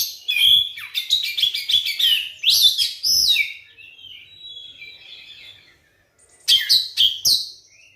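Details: Oriental magpie-robin lure song for prompting quiet magpie-robins to sing: a long fast stream of varied high chirps and whistles, a softer pause, then a final loud burst of sharp notes.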